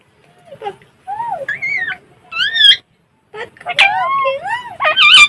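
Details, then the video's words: A pet Alexandrine parakeet talks in short, speech-like phrases, with gliding, nasal syllables that rise and fall, broken by brief pauses. "Talking Parrot funny video mitthu mitthu talking mitthu video Indian Talking Parrot funny video"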